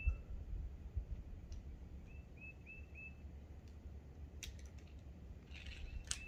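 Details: Red-breasted Nuthatch on the Appalachian Trail near McAfee Knob–Tinker Cliffs, Daleville, Virginia, April 6 (spring): short, nasal, tinny notes, a quick run of four then a lone one, over low wind rumble with rustling and scraping.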